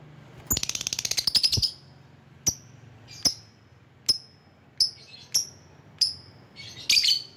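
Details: Lovebird calling rivals, used as a lure bird: opens with a rapid rattling trill of sharp high ticks, then six spaced, clear, piercing chirps and a closing rough squeal.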